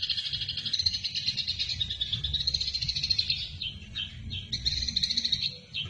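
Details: Eurasian tree sparrow, fighting-style chatter used to train other songbirds: quick, continuous chirps lasting several seconds, then a few separate notes before the chattering returns, with a low hum behind.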